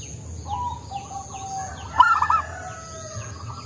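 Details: Soft-voiced local zebra dove delivering one short, loud run of rapid rolling coo notes midway, surrounded by faint, long, even cooing from other doves.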